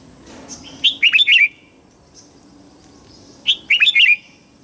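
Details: Red-whiskered bulbul singing in the morning, two lively phrases of rapid, bright, rising and falling whistled notes, each starting with a sharp chip, separated by a quiet pause.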